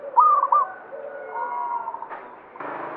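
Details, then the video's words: Local banyumili zebra dove singing: one quick, clear cooing phrase of stuttered mid-pitched notes near the start, then soft lower coos and a short rough burst at the end. "Perkutut lokal banyumili suara gacor"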